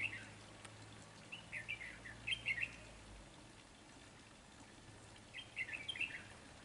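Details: Trapping decoy red-whiskered bulbul sings lively clusters of chirped, slurred notes in two main bursts separated by a quiet pause, with a faint low rumble behind.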